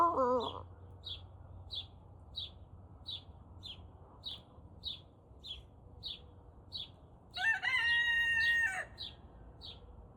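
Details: Turken cockerel only starting to crow, around 5 am, gives a hoarse, level crow that drops at the end, likened to a toy chicken with a failing battery. Another bird gives steady high chirps.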